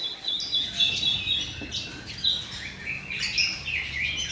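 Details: Rapid, high whistled and chirped notes from a male robin, with a sustained piping line near the start and busy warbling phrases later.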